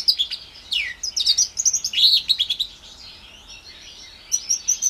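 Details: Four-month-old house finch x canary hybrid (Timbrado cross, orange/brown) giving a burst of rich warbling with a clear downward-slurred whistle and rapid chirps, a quieter stretch, then a short run of sharp high notes.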